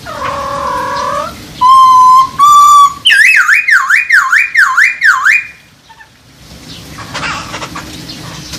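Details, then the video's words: Masked laughingthrush mating call aimed at raising breeding drive: low hooting tones, two loud steady whistles, then a rhythmic series of swooping V-shaped whistled notes before fading to quiet noise. "poksay hongkong kawin"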